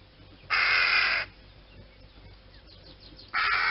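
A raven gives two harsh, hoarse caws, the first drawn out for under a second, the second starting about three seconds later, against a quiet background.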